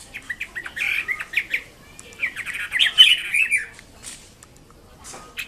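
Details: Wambi kembang mandarin, a red-billed blue magpie, singing steadily: a varied run of chirps and warbled, slurred whistles at a brisk pace, fading to softer scattered notes at the end.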